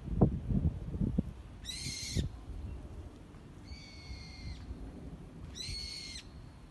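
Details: Bird among cherry blossoms giving three flat, harmonic, nasal notes about half a second each, spaced roughly two seconds apart, after early low thumps and rumble of handling or wind noise.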